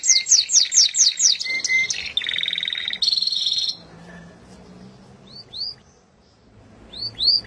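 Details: Canary song beginning with evenly repeated whistled notes, shifting into rapid buzzy trills, then a quiet gap before a few sharp upslurred whistles.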